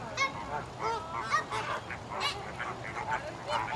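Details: Flamingos kept at the Stone Zoo, Massachusetts, giving nasal, goose-like honks that overlap from several birds, short calls tumbling over one another in quick succession throughout.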